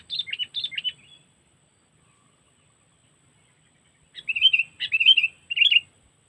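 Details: Sooty-headed bulbul, called kutilang, playing a cengkeram trapping lure from Lampung: a pair of quick chattering notes, a few seconds of silence, then three bubbly slurred bursts in a row.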